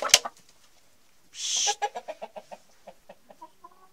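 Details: Denizli rooster with hens: a sharp click, a brief harsh noisy burst, then a run of short, soft clucks repeated about four times a second, fading toward the end.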